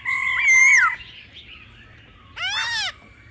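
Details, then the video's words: Laughingthrush singing in a wild-forest voice style, with female calls, as stimulation for birds. A wavering rising-and-falling whistle is followed after a pause by a harsh, ringing, downswept note. "Khứu hót giọng già rừng kèm tiếng mái"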